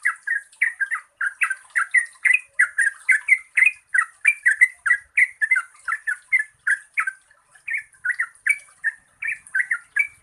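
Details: Yellow-vented bulbul, used as a lure to prompt birds that sing little: long run of bubbly, chattering two- and three-note phrases repeated rapidly without pause, rising and falling, with a faint high hiss above.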